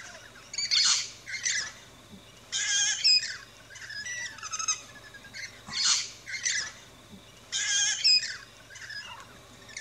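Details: Rainbow lorikeets chirping and squawking at a backyard feeding station in Australia; harsh screechy bursts come in clusters about every one to two seconds, with quieter gaps between them.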